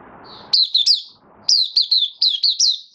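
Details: Kept White-eye (Mata Puteh) in open song, 18 May 2022, post-deworming: a soft high trill, then two bursts of crisp, down-slurred piping notes delivered rapidly, about three and six notes each.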